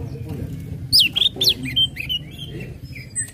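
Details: Orange-headed thrush ngecip, ngecit and ngeplong song, played to prompt other birds to sing; a few loud, high, slurred whistles followed by softer wavering notes, with low background noise throughout.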